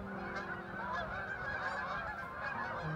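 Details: Flocks of geese flying over Lake Okabena in Worthington, Minnesota: dense overlapping honks and chatter from many birds merge into a continuous clamour, with steady low droning tones underneath.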